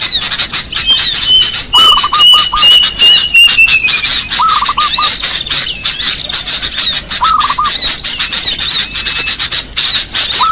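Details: Small birds in a lure recording meant to attract birds: a dense, continuous chorus of high chirps, squeaks and twitters, a thin drawn-out whistle near the start, and short lower trilled bursts recurring every few seconds.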